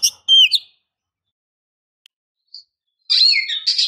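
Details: Female Oriental magpie-robin calling to excite a male: a quick clear whistled phrase, a silent gap, then a dense burst of scratchy, chattering high notes.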